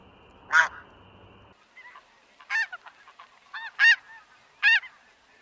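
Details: Snow goose in Wisconsin giving a series of barking, nasal honks at irregular intervals, one loud call first, then softer and louder notes with short yelping fragments between them.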